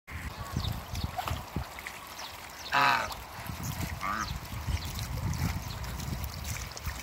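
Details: Two male and one female African geese playing in water in a backyard; one loud, harmonic nasal honk midway, then a shorter, softer honk a second later, over steady splashing and trickling water.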